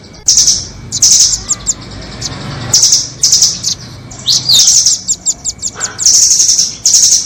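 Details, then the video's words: Nuthatch calls, a mix of the doraemon nuthatch and the red-billed (velvet-fronted) nuthatch, used as bird-trapping lure audio in Indonesia: very high, sharp rapid chirps in dense bursts alternating with quick staccato ticking notes, plus a faint steady low hum. "Pikat burung rambatan doraemon vs paruh merah. merambat dan terpikaatt‼️."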